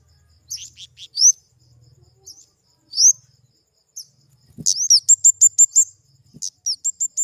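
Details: ['Scattered very high, thin chirps from a flowerpecker give way to a quick run of sharp repeated upslurred notes, then more spaced chirps; two faint knocks.']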